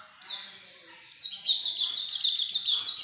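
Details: Hume's white-eye singing in full, energetic 'gacor ngalas' style: after a short thin note, a fast unbroken run of high, down-slurred chirps that rattles on to the end.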